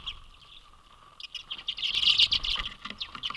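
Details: A large flock of common redpolls at a residential winter feeder in Manitouwadge, Ontario, on 10 January 2022 chatters busily, rapid dry twittering notes tumbling over one another about four a second, with a steady low hum beneath.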